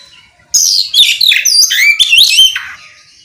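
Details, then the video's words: Oriental magpie-robin in full song, aimed at prompting other magpie-robins to answer: loud, varied, rapidly changing whistles, upslurs and downslurs with clipped chirps over about two seconds, then fading. "Suara kicau kacer ngeplong memancing kacer apasaja ikut bunyi nyaut ngeplong gacor!"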